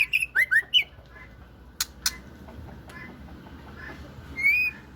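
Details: Female white-rumped shama uttering a quick burst of short, sharp whistled notes at the start, then a few clicks, one later rising whistle, and a low background hum.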